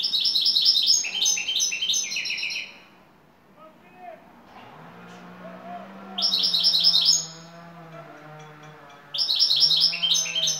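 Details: Top-class Turkish European goldfinch in şakşaklı style: repeated bursts of high, buzzy, rapid twittering, with quiet gaps where a low hum and soft background sounds are heard.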